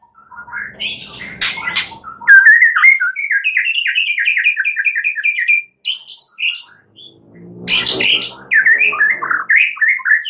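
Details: Night-time song of a white-rumped shama meant to prompt singing: long runs of quick repeated chirps at even pace, broken by brief gaps and a few sharp clicking notes.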